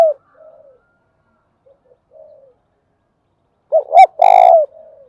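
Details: Faint distant dove coos give way to a close spotted dove's thúc bổi and gáy gọi coo: two short hollow notes and a loud, held, pulsing hoot trailing off softly.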